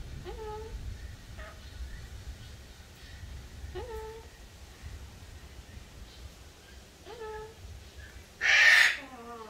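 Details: An Eleonora cockatoo (Cacatua galerita eleonora) gives four short, rising, hello-like calls a few seconds apart just after its cage door is opened, then one loud, harsh screech near the end; faint room noise underneath.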